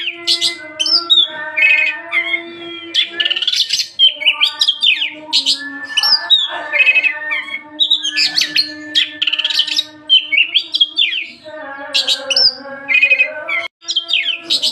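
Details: Oriental magpie-robin singing continuously and energetically: a rich medley of high whistles, rapid chirps, slurred rising and falling notes, and buzzy trills, over a constant low steady humming tone.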